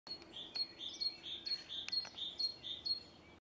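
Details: Common starling (Sturnus vulgaris), recorded 29 April 2024, giving a run of high chirps and clicks, about two a second, with a thin steady whistle underneath and a few sharp ticks.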